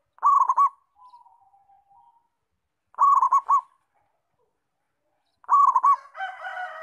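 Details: Local zebra dove singing actively, repeating a rolling, bubbling coo phrase about every two and a half seconds. Faint wavering notes follow the first phrase, and a louder, harsher sound overlaps the final phrase.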